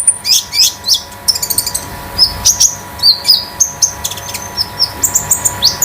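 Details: Caged Konin kept at home, singing a metallic, loose, spotted song used as tutor and lure for other birds. It pours out a lively run of high, sharp, upslurred chirps and quick trills with almost no pauses. A faint hum is heard.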